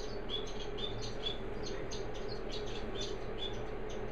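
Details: Orange-breasted waxbills preening and cuddling give soft, thin, high chirps, scattered and irregular, over a steady low hum.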